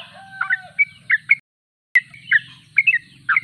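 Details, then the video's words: Sooty-headed bulbul singing in short bursts of slurred chirps over a steady low hum, with a drawn-out whistled tone early on and a sharp click mid-way. "Trucuk termewah suaranya paling di cari"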